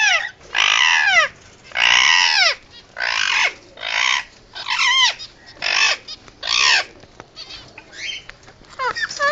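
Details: A pet male Indian ringneck gives urgent emergency screeches, harsh drawn-out squawks repeated more than once a second in a steady, insistent run.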